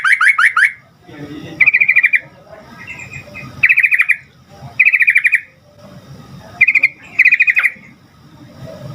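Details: Lively sooty-headed bulbul song meant to prompt other bulbuls to respond: repeated short bubbling, liquid phrases roughly every one to one and a half seconds, with soft low background noise between phrases.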